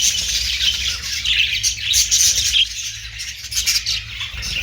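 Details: Budgerigar twittering: quick warbled chirps and whistles, loudest in the first half, then a softer stretch of lighter chatter, with a low droning hum in the background.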